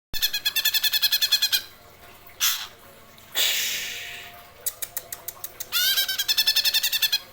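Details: Greater green leafbird singing in the geroll style: bursts of rapid, evenly repeated bright metallic notes, roughly fifteen per burst, broken by short harsh rasping squawks and a few slower ticking notes.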